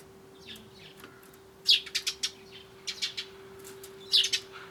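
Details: Eurasian tree sparrows chirp as they come to a bird feeder, 20 January 2013, morning, with a turtledove nearby. Bright, high chirps come in quick bursts of two to four notes a second or so apart, over a low electrical hum.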